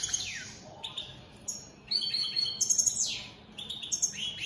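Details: Captive European goldfinches of the opal split satane mutation singing: high, bright twittering with quick downward-slurred whistles, buzzy trilled phrases and short chirps, coming in bursts separated by brief pauses.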